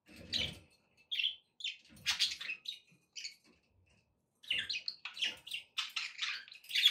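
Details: Domestic budgies chirp and chatter: scattered sharp tweets and raspy warbles, a quiet gap, then a lively stretch of rapid squeaky notes and buzzy trills.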